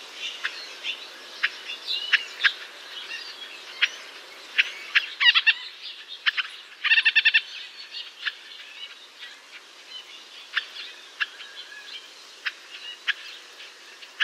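White-breasted nuthatch giving short, sharp call notes at an irregular pace, with one quick burst of rapid repeated notes, over steady forest hiss and other birds chirping.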